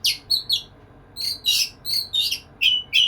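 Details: Oriental magpie-robin (kacer) courting a female with crisp, separated notes: high clear whistles and ringing chirps, some with buzzy overtones, spaced roughly a third of a second apart.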